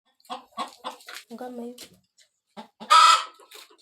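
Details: Hen ready to lay eggs in a village: a run of short soft clucks, then one loud harsh squawk near the end, followed by a few quieter clucks.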